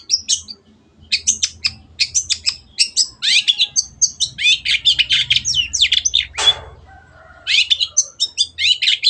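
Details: Vigorously singing long-tailed shrike (cendet) recorded as masteran for kept birds: fast streams of clipped high chirps and buzzy trills, broken by one loud rough crackle, then the rapid chatter resumes.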